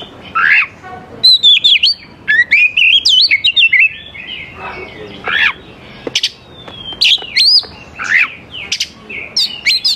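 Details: Lively oriental magpie-robin song used as a lure to draw young wild birds from the forest into singing back: bursts of clear, looping whistles broken by scratchy, rasping notes, with short pauses between phrases.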